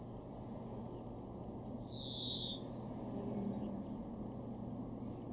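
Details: Garden greenfinch recorded in Weener, East Frisia, Germany, May 2021, producing a single long descending wheezy note near the two-second mark, with faint distant chirps and constant low rumble behind.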